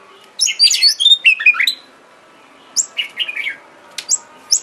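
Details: Oriental magpie-robin song played as a lure to excite a kept bird: a tangled burst of bright whistles and chips, a short pause, then scattered higher whistled notes.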